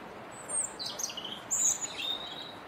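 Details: Robin song on a wet day, the bird perched on a bare twig in the Rose Garden: high, thin, rapidly changing warbled phrases, sweet and tumbling, above a soft steady noise floor.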